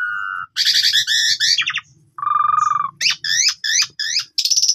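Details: Full lure song of an Asian pied starling used for training: a clear steady whistle, grating chatter, a rattling buzz, then a run of repeated curling whistles ending in a high trill, over a faint low hum.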